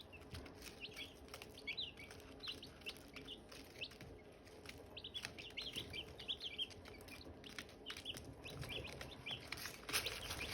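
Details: Silkie chicks and hatching eggs: scattered short high peeps, fainter and spread out, over frequent tapping clicks and a low background rumble that grows toward the end.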